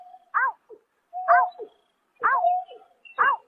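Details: Greater painted-snipe at night in March 2024: four rounded, down-curving hooting notes with steady low tones between them, about one second apart, and a faint high squeak in the background.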